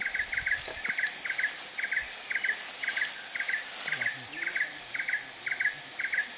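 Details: Indian nightjar at Kaeng Krachan National Park, Phetchaburi, Thailand, on 13 April 2014, giving a long run of short, dry knocking notes, about two or three a second at an even pace, over a steady high insect hum.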